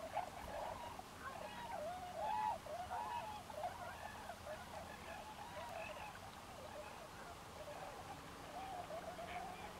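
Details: Tundra swans at Forsythe National Wildlife Refuge, New Jersey: a dense flock chorus of overlapping, mellow, slightly nasal hooting calls, many short rising-and-falling notes tumbling together without pause over a steady background hiss.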